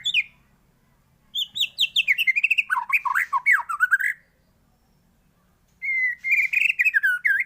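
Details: White-rumped shama singing varied phrases as a master recording for other birds: a downward whistle, then a long run of swooping, warbled notes, silence, and a chattering whistled passage.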